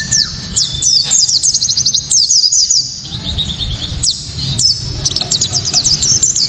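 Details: Japanese white-eye, a kept songbird, singing loud, sharp, clear song used to provoke other white-eyes and for tutoring songbirds: rapid high twittering strings of thin descending notes in dense bursts, with low background hum.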